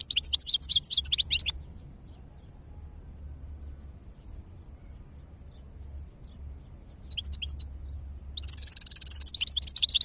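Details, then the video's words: European goldfinch twittering briefly, then a long quiet gap with low hum, followed by more quick chirps and a buzzy trill near the end. "تغريد الحسون"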